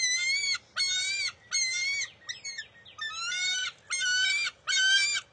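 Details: Bald eaglet vying with its mother over a fish at the NCTC nest, June 23, 2021: a regular sequence of grating, harmonic squeals, each around half a second, broken once by a softer cluster of jumbled notes.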